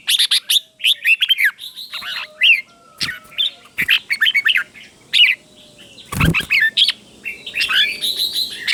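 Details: Red-whiskered bulbul teacher song meant to stimulate and train caged bulbuls: busy, overlapping bursts of bright whistled and chirping notes with brief gaps, a loud thump partway through.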